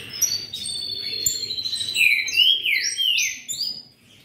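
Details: Ultramarine grosbeak (azulão) kept by an amateur breeder gives a short song burst: a sustained high whistle followed by looping, slurred whistled notes sweeping down and up before fading.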